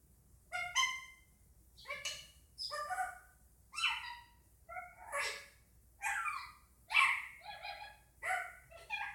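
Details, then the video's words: Captive Indian ringneck parakeet chattering indoors, not in a talking mood: a steady series of harsh, nasal, harmonic squawks about every second, varying in shape, some rising then falling. "Indian Ringneck making noises"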